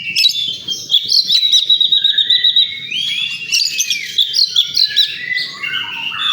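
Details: Oriental magpie-robin at a bird-singing contest ground, pouring out a fast, varied song of bright whistles, trills and scratchy chips, with a faint low murmur of background noise.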